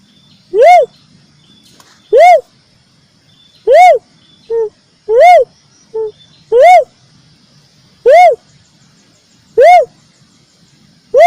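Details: Ruddy cuckoo-dove or gedewo lure call for bird trapping: a regular series of loud arched hoots about every one and a half seconds, two shorter quieter notes slipped between them, and a thin constant high tone behind.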